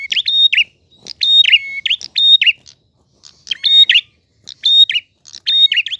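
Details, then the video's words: A prinia sings in a clear, gacor style: crisp high chirped bursts with ringing whistled notes, given in short runs with brief pauses between them. "Prenjak Gacor Ngalun. Suara jernih."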